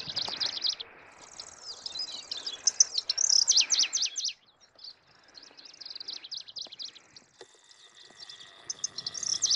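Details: Middendorff's grasshopper warbler (Locustella ochotensis), which breeds in Northeast Asia: quick bursts of high, harsh, stuttering notes over a thin buzzy trill, pausing briefly, then softer repeated phrases returning toward the end.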